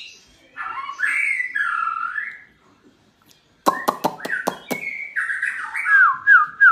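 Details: Singing white-rumped shama, played to spur other shamas into song: rich, looping whistled phrases, a pause, then a burst of sharp dry clicks followed by a descending chain of clear whistled notes.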